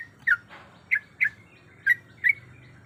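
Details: Sooty-headed bulbul female, in breeding condition, calling for a male with a few spaced, bright chirped notes, single or doubled, separated by short pauses, against a soft low background hum.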